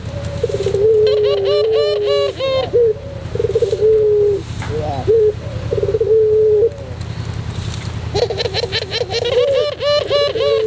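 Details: White Barbary dove in cooing display, recorded as a tutor recording for other birds: low, rounded coos in repeated phrases with a rolling ending, separated by brief pauses, with higher chirps from other birds and a steady background hum.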